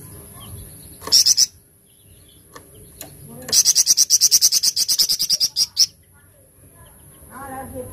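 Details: Flamboyan, the golden-bellied gerygone, in tembakan cadas song: a brief volley of piercing high notes, a pause, then a long run of about sixteen rapid, sharp repeated notes, with faint low murmuring voices at the end.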